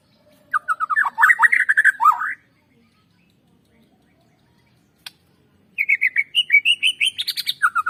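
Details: White-rumped shama singing, a recording meant to stimulate birds to sing: a burst of rapid warbled and trilled notes, a long silence broken by one click, then rising whistled phrases climbing higher before a quick descending flourish.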